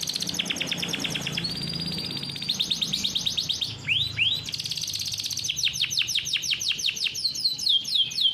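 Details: Farm-bred caged canary singing a long rolling 'ngeroll' song meant for training young canaries: fast buzzy trills, then a run of sweeping downslurred whistles, two rising swoops near the middle, and rapid repeated high notes to the end.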